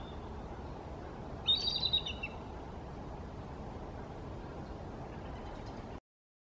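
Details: Perched in a tree with two younger eagles, an older bald eagle on the Snohomish River utters one quick series of shrill, thin, chittering notes lasting under a second, followed by steady low background rumble.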